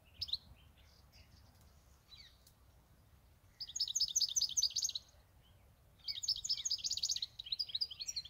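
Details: European goldfinch, a pet bird of eight years, gives scattered high chirps, then two fast liquid twittering phrases of about one and a half seconds each, separated by a short pause.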